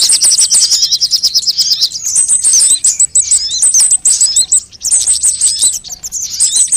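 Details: Lure recording of sunbird calls, meant to draw birds in and make them start singing: fast, dense high-pitched twittering in rattling bursts, several rapid note strings running back to back with short pauses.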